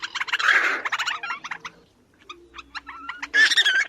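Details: Black Crake, a small pudgy blackish bird of swamp edges, reed beds and emergent vegetation, giving its odd wheezy bubbling and chattering: harsh churring bursts broken by a brief pause, then a renewed chattering outburst.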